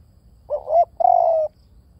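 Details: Spotted dove voice: a soft rising coo followed by a steady, tremulous, prolonged coo, the whole phrase lasting about a second against a quiet background.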